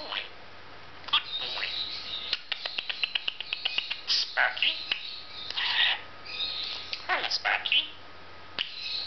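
A budgerigar chatters in a fast, high, raspy voice, mixing mimicked words with clicks and warbles.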